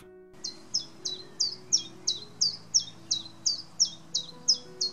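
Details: Common chiffchaff, a UK bird, singing: a steady run of short, high, dipping notes, nearly three a second, with a faint low hum underneath.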